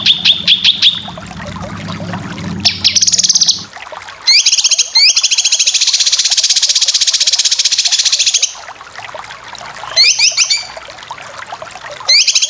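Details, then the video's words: Full besetan of a cucak kinoy, a masteran for competition birds: brief chatter over low hum, then a long dense rapid trill of about four seconds, ending in short rising chattery phrases. "Masteran full besetan cucak kinoy cocok untuk burung lomba"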